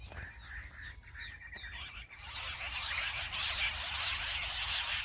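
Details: Jungle bush quail calls played to lure quail into a trap in small jungle patches: a few clear whistled notes, then a dense, high chorus of rapid, overlapping chirps over a low rumble; nine quails were caught within five minutes.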